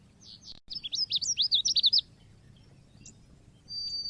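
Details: Pancingan lure recording for Oriental white-eye: after a few soft notes, a rapid run of loud high chips, each jumping sharply up and down, then a quiet stretch with a brief thin note and a high whistle at the end.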